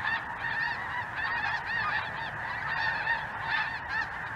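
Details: A large flock of snow geese, possibly mixed with greater white-fronted geese and a Ross's goose or two, fills the sky on a chilly afternoon, 23 January 2023, in southern Indiana with a dense, unbroken chorus of nasal, high yelping honks.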